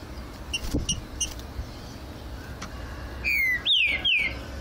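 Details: Green-winged saltator in flight cage giving a loud, clear whistled phrase of slurred notes, first falling, then rising and falling, after a few faint clicks and taps.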